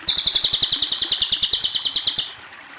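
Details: Loud Cililin trill: around twenty crisp, high notes fired off in a steady rapid series for over two seconds, then fading to quiet background hiss.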